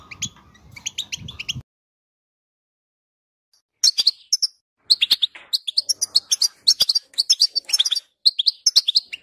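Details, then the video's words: A European goldfinch sings, intended to make another goldfinch sing. A short twittering burst is followed by about two seconds of silence, then a long, lively stream of sharp chirps and buzzy trills. "10 Minutes To Make Your Goldfinch To Sing!"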